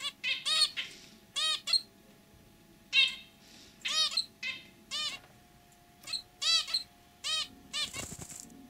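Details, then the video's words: Zebra finch giving short, nasal, toy-trumpet honks in quick pairs and bursts, about ten in nine seconds, over a faint steady hum; in this kept pair the male has a throaty song and the white female simple chirps. "Hint Bülbülü Sesi,ötüşü |Zebra Finch Sound"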